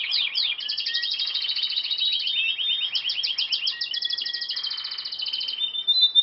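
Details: Canary singing a new song: long continuous rolling trills of rapid, bright notes, shifting from one trill to another, ending with a few clear whistled notes.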